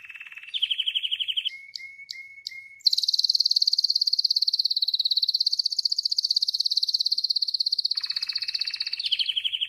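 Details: Wild Spanish Timbrado canary delivering long rolling song phrases: a pulsing trill, four short clipped notes, then a sustained high pulsating roll lasting about six seconds before dropping to a lower rattling trill, loud and close.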